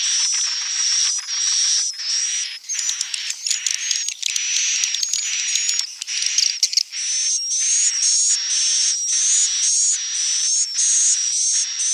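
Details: Edible-nest swiftlet sounds for luring the birds to nest: rhythmic bursts of sizzling chatter open and close the clip, while the middle holds a rapid run of sharp clicks and bright chirps.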